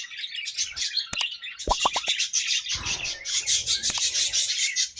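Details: Continuous high, bright budgie chatter with rapid twittering throughout, interrupted by several sharp clicks or taps near the one-to-two-second mark and low rumbling mid-clip.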